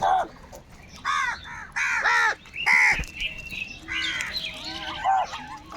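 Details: Crows in a big group fighting for food, giving harsh caws in quick bursts, followed by mixed squawks and chatter from other calling birds.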